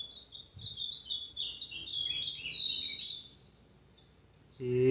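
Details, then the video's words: Azulão in brown plumage delivering a loud, even series of slurred whistled syllables that step downward and back up, ending in a high clear note, followed by a quiet gap and a man's encouraging voice. "AZULÃO PARDO CANTANDO MUITO"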